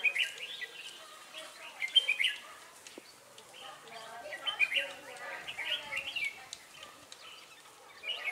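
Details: Red-whiskered bulbul singing at a trapping site in Ba Thá, 18 December 2016, where a lure bird calls in wild birds; lively chirped and warbled phrases repeated in bursts, several birds overlapping, one dull knock midway.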